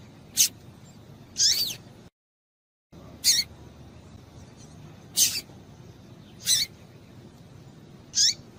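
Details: Female double-collared seedeater calling to stimulate the male: short, sharp, high-pitched chip notes with a downward tail, given singly about every one to two seconds, with one brief silent gap, over faint background hiss.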